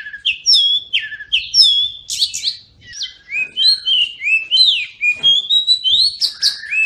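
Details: Oriental magpie-robin song to prompt mute birds to sing: loud clear whistled phrases sweeping up and down, separated by short chips, in a lively varied series.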